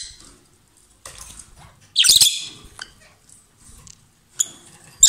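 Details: Lovebird pair singing strongly: scattered soft clicks and twitters lead to a loud, grating shriek, followed by quieter chatter and two short sharp chirps near the close.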